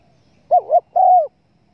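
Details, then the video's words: Spotted dove call used as a hunting lure: a quick wavering two-note coo followed by a longer, smooth, slightly falling coo, low and mellow, in a quiet background. "pancingan suara burung TEKUKUR"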